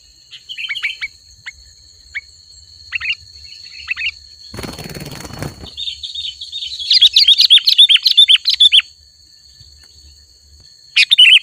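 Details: Sooty-headed bulbul song in a chatty style: sparse short chirps, then a loud rushing noise burst, followed by a two-second run of quick twittering notes and a final short chirp over a steady high hum.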